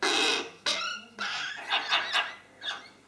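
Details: Hooded crow chick being fed by hand at Mályi, Hungary, on 31 May 2013; it asks for food every two hours. Harsh, raspy begging calls come in loud, broad bursts, roughly six over three seconds, in a small indoor space.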